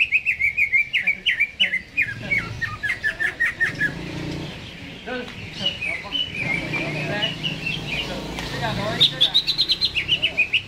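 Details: Greater green leafbird in a cage, singing before being hung up: rapid chattering whistles in a long run, a quieter stretch with a human voice, then a rising burst of quick, repeated high notes.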